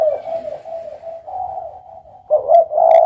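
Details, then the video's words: Low, steady coo of a spotted dove fills the first two seconds, then a louder, rougher coo phrase bursts in near the end. "suara burung derkuku"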